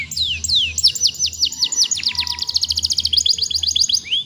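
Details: Young canary in full song, used to prompt other young birds to start singing: long runs of quick descending whistled notes, tightening into fast trills, with a constant low hum beneath.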